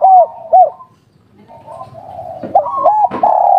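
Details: Local spotted dove, a kuk-3 type bird kept for song, giving a few low arched coos, then a fainter stretch and a loud run of rolling coos ending in a long held note.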